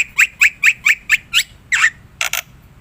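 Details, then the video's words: Black-winged myna in the wild, sound used as a bird lure: seven short, sharp, slightly buzzy notes at even spacing, then a harsher note and two quick rasping bursts. "Suara burung jalak putih"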